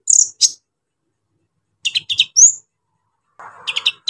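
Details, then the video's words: Brief brown-throated sunbird phrases meant to provoke other sunbirds: two shrill high notes, a pause, then quick chips with a rising whistle, and a final cluster of sharp chips over faint chatter. "KOLIBRI NINJA GACOR BONGKAR ISIAN KASAR BUAT MENAIKAN EMOSI KONIN BAHAN"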